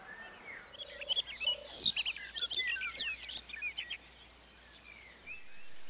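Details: Barred warbler in Tokaj, Hungary, at Erdőhorváti in early May, recorded on a Canon EOS 7D: a rapid scratchy chattering warble of dense high notes with sharp clicks, lasting about three seconds before fading into quiet background.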